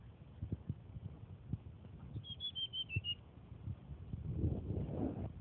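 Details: Tledekan flycatcher still being trained, Purworejo style. A single high whistled phrase of about six notes sliding gradually lower, set against loud low rumbling and thumping noise.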